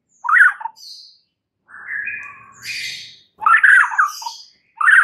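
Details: Caged white-rumped shama giving harsh, squawky bursts mixed with buzzy whistled notes in a few separate phrases, used as a lure song for stressed birds.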